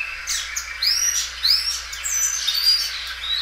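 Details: Belgian canary, a well-kept bird that sings loudly and stretches its song several times; clear rising and falling whistled slurs and high chirps delivered in quick succession.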